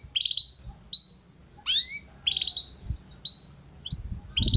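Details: Young canary in training, a lure recording of the ngeriwik style. Separate bright whistled notes, mostly steady with one sharply rising sweep, spaced about every half second over a low background hum.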